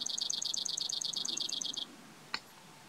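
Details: Brewer's sparrow song recorded at Bodie State Park in Mono County, California: a rapid series of high, dry trilled notes lasting nearly two seconds, followed by a single sharp click.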